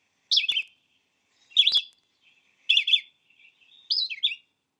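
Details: Red-eyed vireo typical song, sung constantly by males from dawn to dusk: short, sweet whistled phrases, each different, some rising and some falling, about once every second with brief pauses between.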